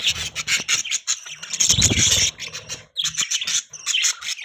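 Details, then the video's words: Budgerigars chirping in a continuous noisy chatter of high scratchy warbles and tweets, with some low thumping or handling sounds mixed in. "Budgie chirping sound|Budgies chirping sounds|Budgie bird sound|Budgies Sounds"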